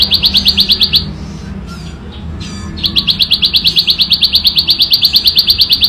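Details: Natural recording of a ciblek sawah prinia in ngebren song, loud and clear. A burst of quick buzzy notes gives way to a pause with faint scratchy sounds, then a longer run of the same rapid chips.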